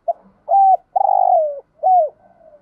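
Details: Spotted dove lure call for other doves: quick pip, level coo, a long rolling purr easing down in pitch, and a closing down-slurred coo, followed by faint soft notes.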